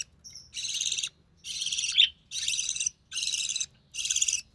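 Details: Young recessive pied budgerigar, the only surviving chick of three, begging as its mother feeds it; five harsh, buzzy, high rasping bursts of about half a second each, evenly spaced.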